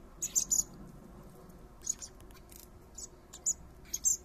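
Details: High, thin squeaky begging notes from common blackbird fledglings, three young fed by their father in a garden, come in brief clusters near the start, middle and end, with quiet gaps and a faint low hum beneath.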